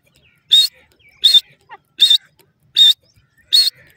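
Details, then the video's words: Grey francolin giving a series of five loud, rasping, high-pitched call notes at a fairly steady pace of about one every 0.7 seconds, with brief faint squeaky sounds between notes and a quiet background. "dakhni teetar k boli,bhura teetar awaz, teetar sound"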